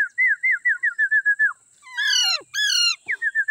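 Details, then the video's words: Indian ringneck parrots, a baby among them, calling together on green grass: a run of about ten short clear whistled notes, each dipping slightly, then two long harsh rasping screeches and more quick whistles. "Green grass Indian Ringneck parrots talking,together baby parrot"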